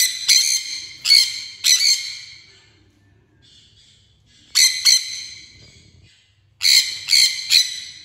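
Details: Sun conure uttering three groups of harsh, strident screeches, each group holding two or three rapid calls. The groups are divided by quiet stretches of a second or more.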